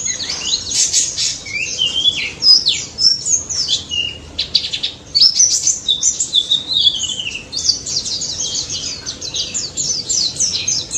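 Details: Wild daput white-eye in full energetic song, offered as a lure to set silent white-eyes singing: dense, high twittering of rapid downslurred and rising notes, overlapping voices, steady and unbroken.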